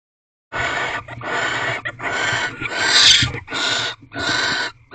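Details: Barn owls in a nest box during their mating ritual, fourteenth night, 3 March 2023 at 8:45 pm: a run of long, harsh, breathy hisses of uneven length, with brief gaps and one louder rasping burst near the middle.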